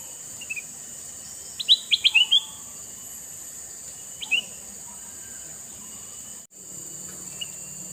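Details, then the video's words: Male red-eyed sooty-headed bulbul delivering one phrase of rapid chirps followed a couple of seconds later by a single short note, set against a steady high-pitched hum and a brief click. "Burung kutilang mas jantan mata merah"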